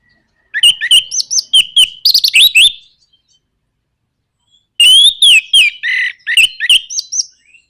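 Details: Orange-headed thrush delivering rapid 'nraktak konslet' song to spur other birds into singing: two dense bursts of harsh, clicking chatter mixed with loud slurred whistles, separated by two seconds of silence.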